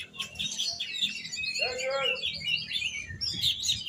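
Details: Oriental magpie-robin kept by Indonesian bird hobbyists, singing fast varied whistles and chirps, with a lower buzzy note in the middle, over low background noise.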